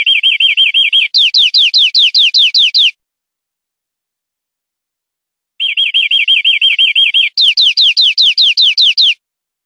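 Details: Greenfinch song on a clean tutoring recording for caged birds: a low rolling trill leads into quick rising-and-falling whistled notes. The phrase is sung twice with a pause between.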